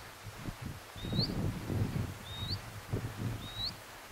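Scribble-tailed Canastero giving three thin, high, upslurred notes, one about every second, over steady low rustling and wind.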